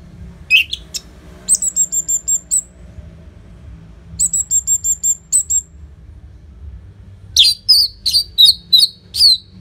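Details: Orange-headed thrush singing loudly and prolifically with short pauses, used to prompt other birds to sing: bursts of high, sharp repeated notes and a run of level whistles, then a quick series of clipped chirps after a gap.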